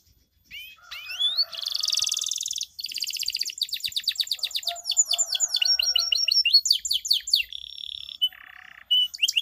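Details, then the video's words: Canary song used as a lure to prompt sluggish canaries to sing, in the chirping-then-rolling style: rapid high trills, rising whistled sweeps and buzzy rolled phrases run together in a long unbroken stream. "Pancingan Ampuh Kenari Macet Bunyi" ~cuit cuit sambung ngerol durasi panjang"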